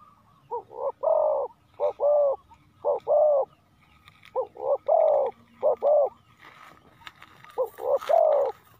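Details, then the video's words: Spotted dove used as a decoy for wild doves, cooing in closely spaced doubled notes repeated in groups, with some soft background rustle near the end. "chim cu mồi gáy gọi bổi"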